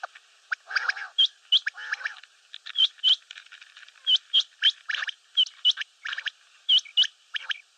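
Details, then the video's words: Common quail calls: clipped, hooked high notes often paired, mixed with rougher chattering bursts early on, repeated irregularly about every second over a quiet background. "Batair ki Awaz , Batair Sound vol 13 , Common Quail Sound 2020, Mote Batair Ki Awaz, Quail sounds"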